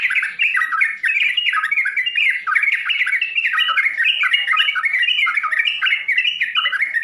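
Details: Sooty-headed bulbul singing a 'full isian' (filled) song meant for beginners: a loud, unbroken stream of quick chattering, bubbly notes that jump up and down, with no pauses, in a quiet room.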